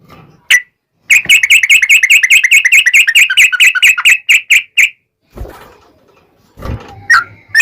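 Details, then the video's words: Yellow-vented bulbul in an active long rapid song, played to lure other bulbuls into replying: a fast, even run of crisp chirping notes for about four seconds, followed by scraping noises and a few faint notes. "SUARA trucukan gacor ROPEL PANJANG pancingan trucukan agar bunyi"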